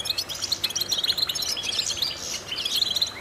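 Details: European goldfinch song for stimulating goldfinches: quick liquid twitters and high chirps run together without pause, a faint murmur heard right after.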